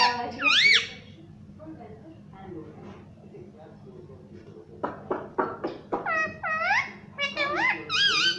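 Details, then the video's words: Pet parrot voicing mummy and papa: one wavering high call, then a stretch of soft room noise, then a busy series of clipped syllables and looping, curling harmonic notes. "parrot talking Mummy papa"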